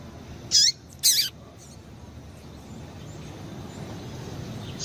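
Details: A female double-collared seedeater gives two quick, sharp, high chip notes half a second apart, then falls silent over a soft background hiss; this female call is used to stimulate male seedeaters into singing.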